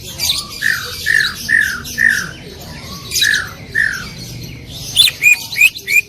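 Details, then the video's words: Greater green leafbird, loud shot-style 'tembakan' song: a series of slurred, downward-sliding whistles, then four sharper, higher ringing notes in quick succession. "cucak ijo gacor full tembakan suara keras"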